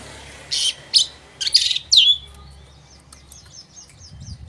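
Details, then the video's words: Oriental magpie-robin in full song, played to stir up rival birds: four loud harsh, rasping bursts within two seconds, the last sliding downward into a whistle, followed by soft, quick ticking notes fading out. "pancingan burung Kacer gacor ini bisa mendobrak emosi lawan mu dengan cepat"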